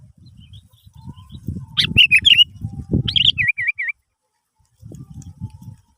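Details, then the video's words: Sooty-headed bulbul song played as a lure to get other birds singing: a quick jumble of chirps, then three crisp, falling-rising whistled notes in a row, over a low rumbling background with handling noise. "Pancingan Burung kutilang"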